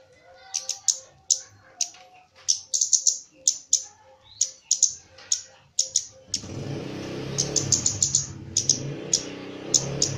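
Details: Javan myna, a trained kept bird, giving a varied song of sharp clicking chips and short whistled notes in irregular bursts over a steady low tone, with broadband noise building in the second half.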